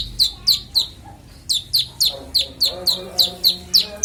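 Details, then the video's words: Konin singing a clear varied song meant as master training audio for songbirds: steady series of sharp, high downward-sweeping chirps repeated roughly three to four times a second, with soft low tones underneath. "Konin bongkar isian suara jernih"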